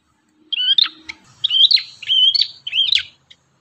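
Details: Ashy tailorbird singing energetically: four loud, high whistled phrases, each a slurred upward sweep breaking into sharp chips, with short pauses between phrases and a quiet background.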